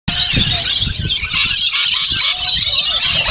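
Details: A flock of rainbow lorikeets at feeding time in a caravan and bungalow park at Burrill Lake, South Coast, Australia keeps up constant harsh chatter of high, grating, overlapping screeches, with low thumps underneath.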